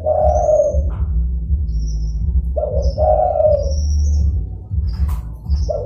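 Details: Zebra dove lure call for attracting opponents and for hunting: three warbling mid-pitched coos, each stretched out and fading, with thin high whistles from other small birds and a deep background drone.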